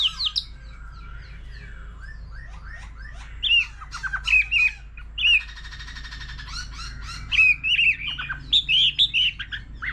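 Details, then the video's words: A mature wild-caught white-rumped shama changes voice continuously in competition song, alongside a laughingthrush. Scattered chips and short whistles build into a buzzy rattle and bursts of bright looping whistled notes. "Choè lửa già rừng nhiều giọng hót solo cùng khướu siêu hay"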